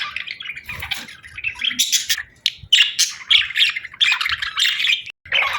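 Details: Pet budgies sing and play with a busy stream of chirps and warbling chatter, rough squawky notes mixed with bright squeaks, pausing briefly now and then before resuming.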